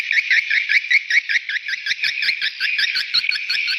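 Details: Swiftlets calling to young: rapid, rhythmic bursts of high twittering notes, around two to three per second, each a short bent chirp, repeated without pause.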